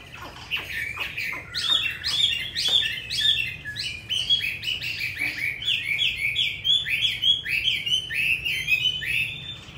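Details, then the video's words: Caged Hwamei offered for sale in Hanoi, Vietnam, described as having a fine wild-type voice and quick delivery; continuous rich, varied whistled phrases with rapid chirps and slurred notes tumbling over one another without pause. "Họa mi 5633b đẹp giọng rừng hay mau mỏ"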